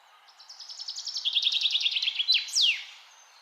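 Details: A bird sings a single fast trill of repeated notes that drops slightly in pitch, then ends with a sharp, high, steeply descending slur; the background is otherwise quiet.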